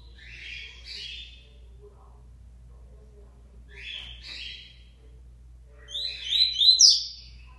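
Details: Song of a locally born double-collared seedeater resuming singing after moult: three brief chattering, twittering phrases spaced a few seconds apart, the last louder and more complex, with a low background hum.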